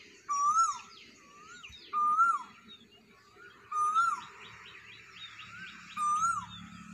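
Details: Cuckoo calling at morning sunrise. Four clear whistled notes each rise and then fall, repeating about every two seconds. Faint chirps from other small birds fill the gaps, over a low background hum.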